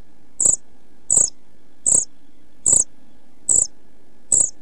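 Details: Pied flycatcher chicks aged 11-12 days in a camera nest box, late June 2013, about to leave the nest. Six evenly spaced, very high, short squeaky notes come roughly every 0.8 seconds, each with a soft low thump, over quiet background.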